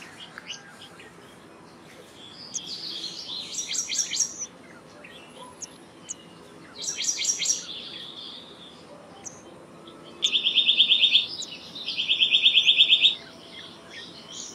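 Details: Black-naped monarch with two late bursts of fast, uniform high notes, after quieter high twittering and chirps from other birds earlier on.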